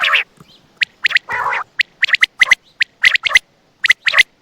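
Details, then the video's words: Night-time quail calls from Attock: loud, abrupt high notes in pairs and triplets, plus one longer, lower, rasping nasal note near the start. Silence between bursts. "بٹیر کی آواز راتBatair ke Awaz raat 2024(Quail Sound)"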